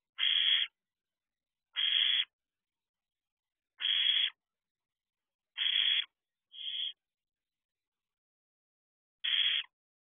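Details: Barn owl chicks at the door of an owl box at 4:24 am, 6/2/23. Six rasping, hissy screeches about two seconds apart over ten seconds, one shorter and fainter, with no other sounds.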